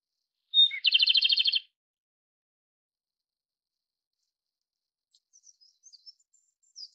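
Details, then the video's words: Japanese robin song: a single high whistled note, then a fast, even trill of about a dozen notes lasting roughly a second. Faint high twittering from other birds follows after a long quiet pause. "日本歌鴝/Japanese Robin"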